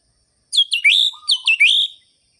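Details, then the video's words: Single warbled phrase from an orange-headed thrush in the sharp, rhythmic ngerol-ngeplong style, used to stimulate reluctant birds of its kind: several looping, slurred whistles run together, with soft lower notes beneath. "ANIS MERAH GACOR ABIS untuk pancingan bunyi burung anis merah yang loyo"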